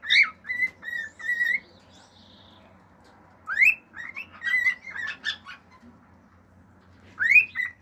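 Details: A pet male cockatiel sings natural songs and mimics sounds around it, including other birds, a "fiu-fiu" wolf whistle and clicking "estalinhos": bursts of clear rising whistles mixed with chirps and quick clicks, with brief pauses between phrases.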